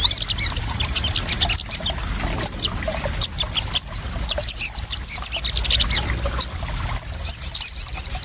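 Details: Crested jay used as a lure and therapy sound for newly caught birds: irregular high chirps and clicks, then two bursts of fast, high, rattling repeated notes over a background of many overlapping chirps.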